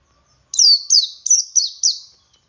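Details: Ngalas song of a male Oriental white-eye, used to prompt other white-eyes to sing: five rapid, high, thin notes in a row, each sliding downward, forming one quick tinkling phrase.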